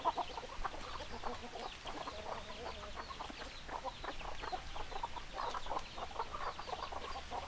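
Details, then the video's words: Hens clucking in a crowded chicken flock: dense, choppy clucks and short nasal notes tumble over one another without pause, backed by a constant low murmur. "Chicken Sounds Noises Hens Clucking Roosters Crowing"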